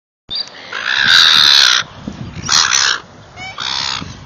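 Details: Gulls being fed, giving loud harsh drawn-out squealing calls with rich overtones, one long cry near the start followed by two shorter bursts, with a faint outdoor background.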